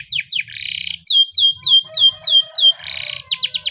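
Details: Canary, said to be a Spanish timbrado, singing in the morning as a training song: ringing, metallic, fast downslurred chips about three per second, broken by buzzy trills and rapid rattling notes.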